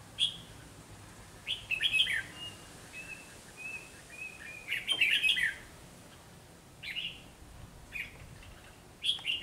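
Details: Red-whiskered bulbul song in a fight between a caged decoy and wild birds during trapping: dense chirpy bursts, a string of soft even piping notes, then further warbling phrases at intervals.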